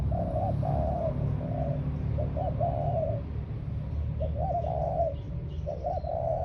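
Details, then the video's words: Ground decoy spotted dove sings a sequence of gentle low coos, some notes clipped and quick, others drawn out, over steady low-pitched noise and very faint distant chirps. "Cu gáy mồi đất"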